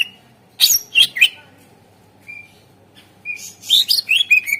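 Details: Greater green leafbird song used as a lure to get reluctant birds singing: a few loud harsh chips, a soft thin whistle, then a quick series of bright slurred whistles and chatter.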